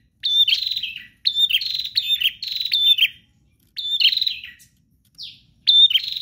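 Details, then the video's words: Bar-winged prinia singing gacor style, persistent and nonstop: five loud phrases, each a sharp high note dropping into a rapid buzzy pulsed trill about a second long, separated by short pauses, with one brief slurred note near the end. "Prenjak GACOR Ngotot Full Durasi Tanpa Jeda"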